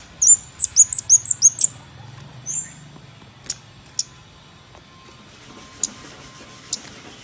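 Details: Scarlet-backed flowerpecker lure call: a fast run of about seven thin, high, ticking notes in under two seconds, followed by a few scattered sharp single ticks with pauses between.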